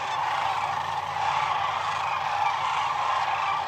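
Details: A huge Sandhill crane flock on the Platte River, at the peak of northern migration, heard from a photography blind; countless rattling calls blend into a loud, even chorus with occasional sharper individual notes.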